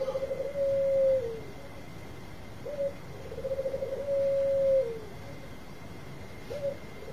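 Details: Bangkok zebra dove lure song, quieter and more distant: low purring trills that run into long level cooing tones, repeated twice, with a short note near the end over a steady background hiss and hum.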